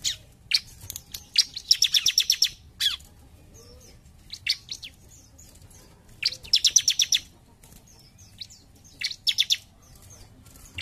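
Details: Ciblek, the bar-winged prinia, singing 'jump shoot' style: short, fast trills of bright, high ticking notes arrive in bursts separated by several seconds of near silence, with scattered single chips between.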